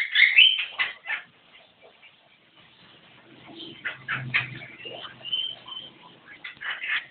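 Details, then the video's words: Javan myna in full song: rasping, grating notes opening loudly, a short lull, then varied scratchy and squeaky phrases with a brief whistled streak. A faint low hum sits underneath. "Burung jalak kebo gacor"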